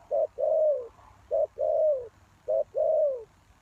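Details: Three rapid phrases from a spotted dove kept as a lure for wild doves. Each is a brief hoarse note and then a prolonged, downward-curving coo, delivered loudly with little background sound.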